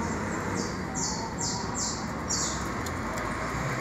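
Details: Saffron finch nestlings, just hatched, give five high, thin, downslurred peeps in a quick series against loud constant background noise.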